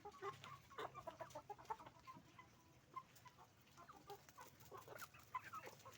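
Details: Chicken farm with roosters and hens, a fairly quiet flock giving scattered short clucks and murmurs over a steady low mechanical hum.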